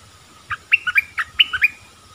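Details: Streaked-eared bulbul singing one quick bubbling phrase of around seven bright notes that bounce between higher and lower pitches, lasting just over a second.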